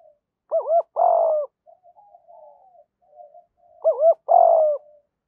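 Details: Spotted dove pair, male and female, calling to stimulate caged training birds. A double hooked coo and a long throaty note, then soft low murmuring, then the same phrase again about three and a half seconds later.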